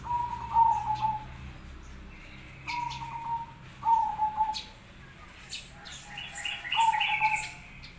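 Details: Local and crossbred zebra doves singing as a master lure for other doves to respond to: short trilled coo phrases repeated every second or two, with higher chirping birds and faint insect buzz behind.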